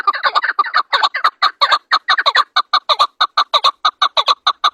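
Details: Chukar (chakor), national bird of Pakistan, with clustered raspy notes at first, then settling into evenly spaced, sharp chuk calls repeated about every quarter second.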